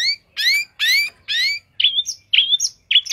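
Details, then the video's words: Long-tailed shrike singing a varied phrase: four long, bright upward-sweeping whistles with harsh overtones, followed by three squeaky two-part notes jumping from middle to high pitch. "cendet gacor isiannya mewah banget"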